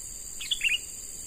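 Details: Short burst of quick, liquid chirps from a young wild sooty-headed bulbul caught by trapping and now being trained as a decoy. Constant shrill insect hum runs underneath.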